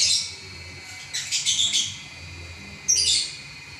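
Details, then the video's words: Champion lovebird singing non-stop in a long continuous session: a dense, high chattering burst, then a pause and a second sharp, squeaky cluster of notes near the end. "Burung LoveBird Juara Nya Ngacor 11 Menit Enggak Berhenti"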